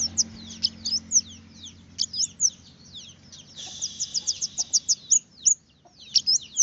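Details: Red-headed finch singing a string of high, slurred chirps and rapid ticking notes, with a steady low hum underneath and a brief rush of noise mid-phrase.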